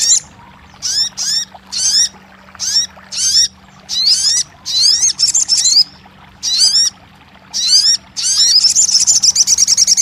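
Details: Crested jay, used to encourage a silent bird to sing: a series of short, high, down-slurred notes in quick bursts, ending in a fast chattering rattle.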